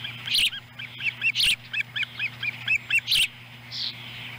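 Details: Osprey family at its nest in Lolo, Montana, in July 2017, a young bird eating a fish delivered by the female. A quick series of short, high, evenly spaced chirps with bursts of clicking and a low hum.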